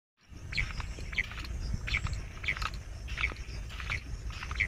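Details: Bush quail call used as a hunting lure: short, bright chirped notes repeated roughly every half second over a steady low rumble of background noise.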